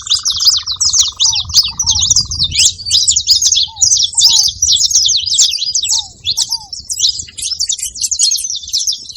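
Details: Saffron finches chattering at a feeding spot: a long, unbroken mass of high, sharp chirps, with a steady low hum early on and pairs of short downslurred whistles.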